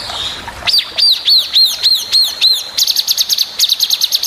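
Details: Long-tailed shrike song in the 'tembakan' style, used as a master recording to train other birds: evenly spaced arched whistled notes, about four a second, speeding into a crisp chattering run.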